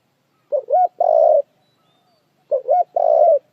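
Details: Two quick spotted dove phrases about two seconds apart, each a short coo, a rising-falling coo and a long buzzy coo, with quiet between them.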